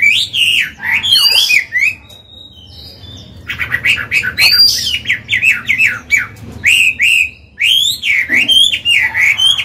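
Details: Chinese hwamei, an old bird with a forest voice, singing to train newly caught birds and excite males: bright whistled and harsher phrases in bursts, a quieter pause, then dense swooping whistles resuming.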